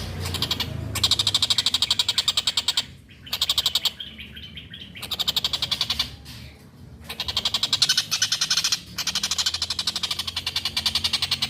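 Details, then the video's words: Master recording of a collared kingfisher in full voice for training songbirds: long bursts of rasping, evenly repeated notes, roughly four each second, split by short pauses and a few softer gaps. "Masteran handal tengkek buto gacor"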